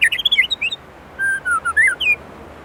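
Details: White-rumped shama from Indonesia singing a burst of quick twittering notes, then a short pause before a set of smooth, level, flute-like whistles ending in a rising slur.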